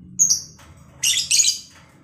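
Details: Pair of home-bred lovebirds being matched as breeding partners: a sharp high chirp followed by two longer harsh rasping bursts in quick succession, with faint low hum behind.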